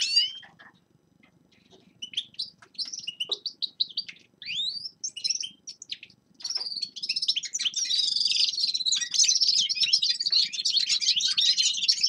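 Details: Forest birds in winter: a few sparse, slurred high notes at first, then from about seven seconds a continuous rapid warbling twitter that runs unbroken to the end.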